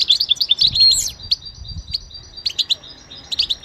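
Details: Goldfinch song meant for training and stimulating singing: quick twittering trills and chirps around high pitch, dense at first, then scattered short notes with brief pauses, faint low rumble beneath.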